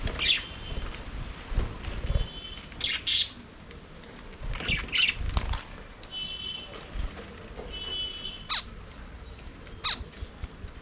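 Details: Budgerigars singing and playing in an aviary, with scattered sharp chirps and squeaky notes, some buzzy tones held briefly, and wing flaps and low background rumble between calls.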